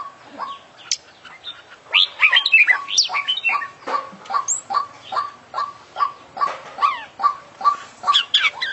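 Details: Oriental magpie-robin (kacer) in full-isian style, a song packed with mimicked phrases as sung by international champion birds: varied whistled and buzzy notes sweeping up and down over a steady series of short clipped notes repeated about twice a second.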